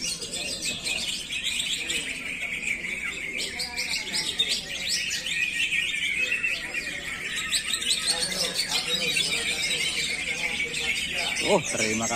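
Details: Greater green leafbird, described as from a sold-out source bird, singing a dense, continuous run of rapid high chirps, trills and varied whistled notes; people talk nearby and a faint low hum runs throughout.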